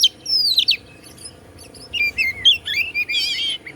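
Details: White-rumped shama (kacer) song used to stir other shamas: descending whistled slurs, then a sequence of clear looping whistles ending in a rich warbled trill.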